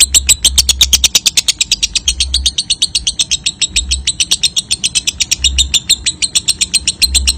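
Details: A lovebird's ngekek, a continuous shrill pulsed chatter meant as a lure so other lovebirds trill readily; rapid pulses run nonstop for the whole stretch, with intermittent low rumbling hum beneath.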